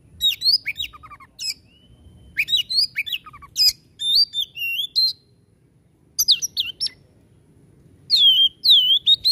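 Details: 'Tembakan' song from a white-rumped shama: clusters of high sliding whistles and dry rattling notes, four separate bursts with short silent spells between them.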